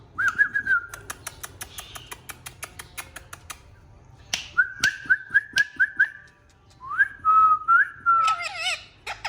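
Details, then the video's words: Pet Indian ringneck parakeets known for talking whistle a wavering tone, then a row of six quick repeated notes and a warbled phrase, with a steady background of sharp clicks. "Talking indian Ringneck Parrots"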